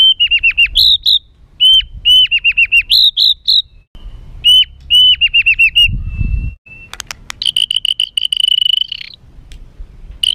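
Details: White-rumped shama in a rough, emotional song used to provoke birds: repeated phrases of hooked whistles ending in a higher ringing note, later a harsh rattling buzz, with brief low thumps.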